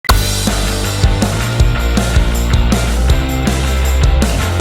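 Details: Loud rock music with pounding drums, deep bass and distorted guitar chords plays throughout, and no animal sound can be picked out.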